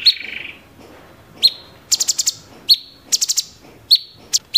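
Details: Cucak cungkok (grey-cheeked bulbul) in 'tembakan' style. A short buzzy note opens, then isolated sharp chips and two quick bursts of four high staccato notes.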